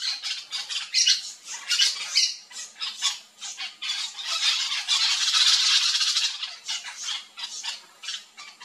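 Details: Wild flock of Yellow-chevroned Parakeets (Brotogeris chiriri) feeding on fruits in a backyard: dense, overlapping harsh shrill squawks and chatter from many birds at once, rising to a continuous screeching burst midway before thinning into scattered sharp notes.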